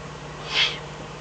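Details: Eurasian eagle-owl at night in the Eifel, 24 May 2014, around 03:40–04:18, a fox delivered as food. One short, rasping hiss swelling and fading in about a third of a second over a constant electrical hum.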